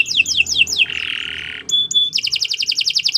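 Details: Canary singing a long training song: quick falling slurred notes repeated four times, a harsh buzzy held note, a short pure whistle, then a rapid rhythmic trill of bright repeated syllables.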